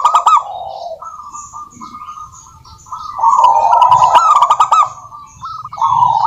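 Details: Local wild-type zebra dove singing vigorously: a low rolling coo, then sustained purring phrases building to a loud stretch of rapid stuttering coos with clicks. Soft high chirps of other birds are audible.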